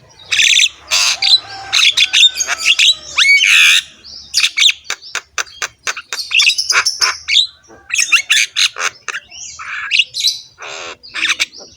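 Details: Javan myna, a master recording for coaxing quiet caged mynas to sing, delivering a dense, nonstop run of coarse squawks, clicks and brief upward whistles, with harsh rasps and scratchy chatter over about twelve seconds.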